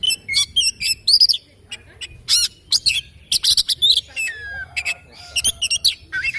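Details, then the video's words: Oriental magpie-robin singing in the morning: a rich, varied run of loud whistles, sharp chirps and buzzy notes in quick bursts, some long sliding whistles, with short pauses between phrases. "Kicauan Kacer Dipagi Hari"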